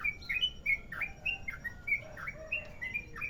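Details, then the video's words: Sooty-headed bulbul of the Merapi type in a long rolling song, used as a lure: quick run of clear whistled notes, alternately rising and falling, about one and a half per second over soft low background noise. "Trucukan merapi ropel panjang"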